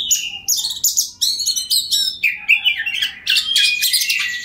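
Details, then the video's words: Oriental magpie-robin in vigorous ngobra song meant to get an opposing kacer singing fast: rapid series of sharp, buzzy bursts and ringing whistles, pulsing in quick succession, with soft low background noise. "KACER NGOTOT PANCINGAN TERBAIK BIAR KACER LAWAN CEPAT GACOR, Kacer Gacor Full Ngobra"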